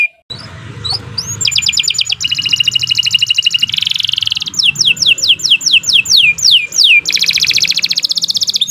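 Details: Canary master song for tutoring young birds: after a short quiet start, loud rapid trills of repeated sweeping notes, a rough buzzy tour and fast upslurred whistles follow one another over a faint low hum.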